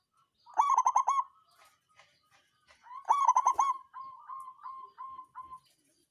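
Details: Songgo ratu style song of a local zebra dove, used to stir rival birds and get lazy singers going; two loud stuttered bursts of quick pulsing coos, then a line of softer, evenly spaced coo notes.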